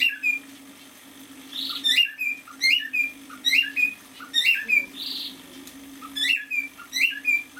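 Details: Young male cockatiel about six months old sings in a room, giving a string of quick whistled chirps that sweep up and down, spaced roughly half a second apart, with occasional rougher squawks and a constant low electrical hum.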